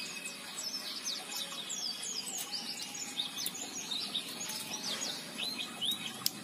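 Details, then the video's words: An aggressive male common iora giving loud, harsh scolding calls: a steady stream of quick, high, scratchy chirps and rasping notes, several each second, over a faint steady hiss. "pancingan cipoh jantan galak ngekrek suara kasar"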